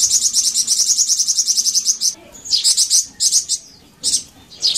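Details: Flamboyan bird song played as a pancingan lure so kept Flamboyan birds start singing: a long, rapid string of high, sharp chirps, then separate short bursts of shrill twittering with brief silences between.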